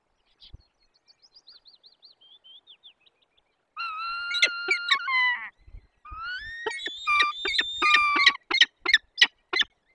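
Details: Peregrine falcon nestlings in a forest nest, Barycz Valley, Poland, 17 April 2024, begging at feeding time: faint quavering whistles, then long grating wails and a run of rapid harsh squawks.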